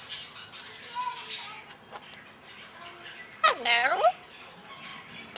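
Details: Pet male Red-sided Eclectus parrot, hatched in February 2008 and not hand-raised, vocalizing while tickled by its owner. A loud, harmonic, arching squawk-like utterance lasts about half a second amid soft human speech.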